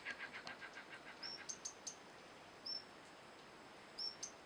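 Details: A male slaty-blue flycatcher at Manas National Park, Assam, gives thin, high, slightly rising whistled notes about every second after a quick run of soft chips, with faint background hiss.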